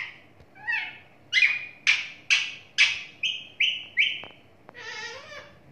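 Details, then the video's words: Pet talking parrot giving a run of harsh, buzzy squawks: a short rising note, then about seven evenly spaced loud calls, ending with one broader, noisier call. "Talking parrot"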